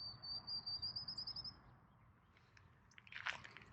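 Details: Field Sparrow perched on a cedar tree in a grassland area of Saxon Park, Norman, Oklahoma, on a mid-July morning, gives a high, thin trill of quick repeated notes rising slightly over about 1.5 seconds, over the low roar of a highway and a brief rustle.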